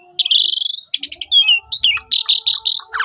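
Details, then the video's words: Asian pied starling song, recorded on a phone and used as a lure to get silent starlings singing: a long buzzy whistled note, then a rapid run of harsh clipped chattering bursts and short bright slurred whistles, with a faint steady lower tone underneath. "Pancingan Jalak Suren 100% Jitu !! Jalak Suren Macet Langsung Ikut Gajor Full Isian"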